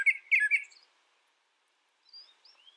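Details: Brown thrasher singing a short, loud burst of jumbled chirpy notes, followed after a pause by a few faint, high, thin slurred whistles.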